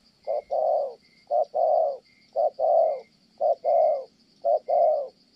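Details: Kon Tum spotted dove cooing in the 'thổ' style, Vietnam: five regular pairs of a clipped note followed by a longer throaty coo, roughly one pair per second, with a faint steady high buzz behind.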